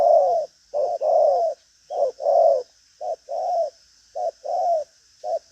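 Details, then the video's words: Spotted dove of the 'đồng pha chân cua' type, described as strong-cooing with lively behaviour and a 'thúc gù có lèo' cooing style: low hooting coos in short-then-long pairs, about five pairs over five seconds, over a faint steady high hiss. "Đồng pha chân cua cứng gù| Nết chơi lăng xăng, thúc gù có lèo"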